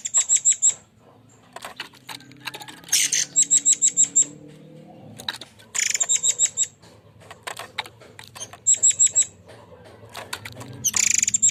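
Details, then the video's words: Forktail (murai air) lure song, harsh 'shooting' style: short series of four to five piercing high whistled notes repeated every two to three seconds, separated by loud raspy buzzes and soft clicks. "BURUNG AIR MANCUR✓✓✓suara tembakan kasar"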